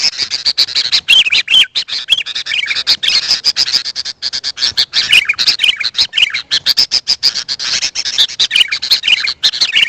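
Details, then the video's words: Sooty-headed bulbul calls played to attract wild birds: an almost unbroken, loud, crackling chatter with brief looping whistled phrases dotted throughout. "Suara Burung kutilang untuk pemanggil Burung liar."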